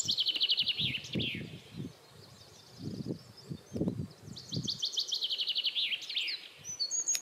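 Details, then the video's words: A Eurasian wren sings loud, rapid trilling phrases of high notes, two bursts ending in buzzy rattles, over low background rumble. "Gjerdesmett synger av full hals - the singing wren"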